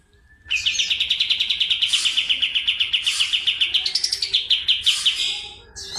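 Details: Medan white-eye (kapas tembak) in full song with fast 'nembak' rolling: a long, unbroken trill of high, crisp notes for over five seconds, rising in pitch near the fourth second before dropping back.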